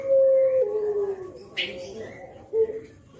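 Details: Kuk geruk call of a nodding spotted dove in Java, played to lure other spotted doves; it opens with a steady held coo that drops lower and fades, followed by one short note.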